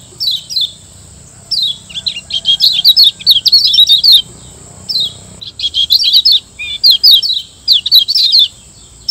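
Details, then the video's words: Yellow white-eye from Lombok in a master song for training caged birds: long chattering sequences of high, bright, fast notes broken by brief pauses, a steady thin tone running beneath. "Masteran Kecial Kuning Auto RESPON CEPAT‼️Gacor PERMANEN‼️"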